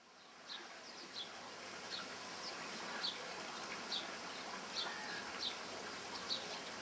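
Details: Common linnet (Linaria cannabina) in a tree, filmed June 2009, giving short, high twittering chirps about one each second over a steady rushing hiss of wind or background noise.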